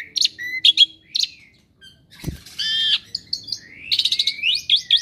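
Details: Kept Asian pied starling, said to imitate other birds, producing scattered high whistles, harsh chattering phrases and rising slurred notes, broken by quiet pauses and a single sharp knock.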